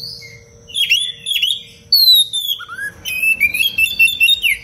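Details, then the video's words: An Oriental magpie-robin sings dense tutor song for training other birds: two buzzy chattering phrases, a loud long falling whistle, a short upslur, then a rapid run of bright trilled notes over a low hum. "Kacer gacor cengkok rapat pedas untuk masteran"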